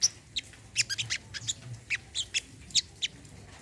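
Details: Olive-backed sunbird, known locally as sogon or kolibri kelapa, in a therapy track for non-singing birds: sparse, thin, high single chips spaced irregularly, several per second, over a quiet background.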